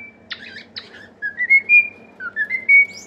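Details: Pet cockatiel song meant to cheer up and teach other cockatiels: two rasping chirps, then a run of smooth whistled notes stepping upward, a brief pause, and a second rising whistled phrase ending on a held tone.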